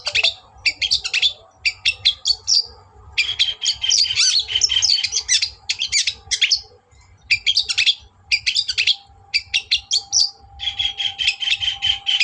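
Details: Long-tailed shrike lure song meant to rouse a rival bird's anger: clusters of rapid scratchy chirps in bursts of one to two seconds, broken by short pauses, over a faint steady hum.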